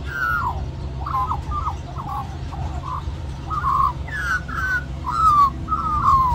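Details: Magpie at Cirillo Reserve, Middleton Grange, New South Wales, Australia, singing at lunchtime to beg for more mango among a group of magpies. A steady run of warbled, slurred whistles, each about a second long, with low background rumble.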